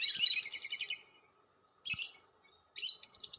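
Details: Lovebird long chatter used to lure lovebirds (ngekek panjang): a dense second-long burst of rasping high notes, a shorter grating burst after a silence, then squeaky rising-and-falling chips.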